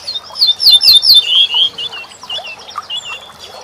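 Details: Corn bunting song played as a tutor recording for songbirds: a burst of rapid, sharply bent metallic notes high in pitch, building into a bright jangling phrase, followed by softer scattered chirps from other small birds.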